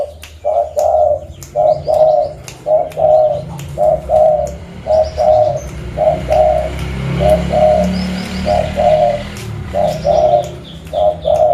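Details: Local zebra dove from Reului, Mutiara, Pidie, Aceh, Indonesia, calling as a lure to attract other birds: paired mellow coos repeated steadily about once a second throughout, with faint chirps and low background hum.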